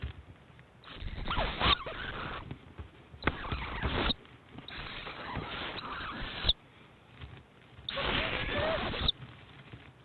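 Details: Two owlets being fed by their mother at breakfast, 7am on 7 March 2010, competing for food. Harsh hissing begging bursts, each about a second long, repeat every two to three seconds, with rustling between.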